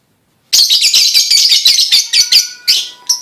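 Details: A lovebird's pancingan, a lure song to prompt other lovebirds to sing, starts abruptly after silence as a continuous, fast, shrill twittering chatter with bright accented notes, ending in a few louder separate chirps.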